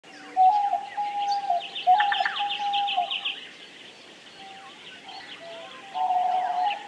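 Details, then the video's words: Diamond dove giving long, level, soft coos, each held about a second and linked in a drawn-out series, with a deeper faint tone beneath and busy high chirping and twittering of small birds throughout. "Canto da Rolinha Diamante / Pomba Diamante | Diamond Dove | Geopelia Cuneata"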